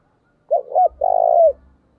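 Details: Spotted dove decoy bird giving a fight-provoking call in the thổ voice style: two short hoarse coos, then one long rolled, slightly falling coo lasting about half a second, with faint low thumps below.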